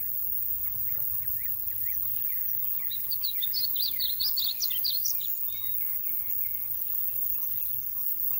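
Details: Painted bunting singing in Royse City, Texas, on 8 June 2020: a rapid, warbled run of high sweet notes lasting about three seconds, rising and falling in pitch, over a steady low background hum and faint distant chirps.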